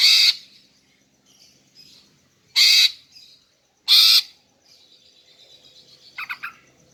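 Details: Female greater green leafbird calling to lure males and set them singing: three loud, harsh, grating notes spread over four seconds, then softer scattered chirps and faint twittering near the end.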